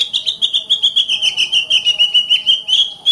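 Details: Oriental magpie-robin song played to train other birds: a steady run of fast, evenly pulsed whistled notes, roughly three per second, holding a level pitch throughout.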